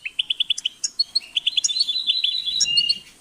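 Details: Goldfinch opening with a row of evenly spaced clipped chirps, about five in half a second, then rushing into a bright, jangling twitter with trilled notes.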